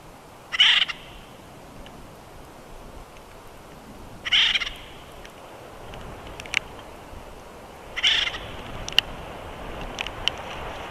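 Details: Bald eagles at the Big Bear nest in late April 2021, at the end of the day: three short, high, harsh calls spaced about four seconds apart over a quiet background with faint ticks.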